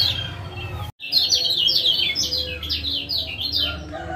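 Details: Male lemon-bellied white-eye from Lombok, used to prompt a quiet caged male to sing: a short gap, then a fast run of sharp, high, down-slurred chirps, densely repeated for about three seconds over a low hum.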